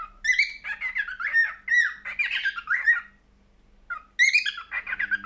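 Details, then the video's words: Singing cockatiel delivering slurred whistles and raspy chattering notes in a busy warble, a brief gap, then another squawky harmonic burst and more warbling; low hum in the background. "Best Cockatiel singing"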